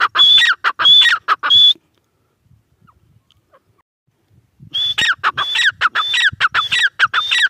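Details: Grey francolin giving loud rhythmic calls of harsh notes with a high whistled tone, a quick burst at the start, then nearly three seconds of silence before the repeated phrases resume and continue to the end.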